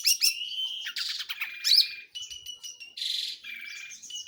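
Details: Long-tailed shrike in lively, full song: a dense run of high whistles, trills and scratchy notes, with steady held tones between quick varied phrases.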